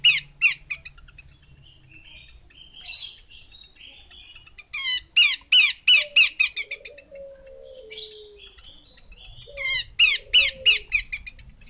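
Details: Female Horsfield's babbler calling in fast runs of crisp, repeated chirps, each run of eight to ten notes, with a low falling whistle between the runs.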